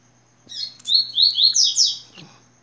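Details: Yellow-bellied seedeater singing in the tui-tui style: a brief buzzy opening, then five quick, high, sweeping whistled notes that climb in pitch, with the last two brighter and slurred. The phrase lasts about a second and a half over a faint low hum.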